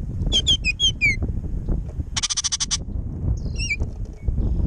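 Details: Hungry Baltimore orioles fighting and bickering for jelly at a backyard feeder in wind: a run of quick whistled, downslurred notes, then a loud harsh rattling chatter lasting about half a second, a few more twisting whistles, and wind rumble throughout.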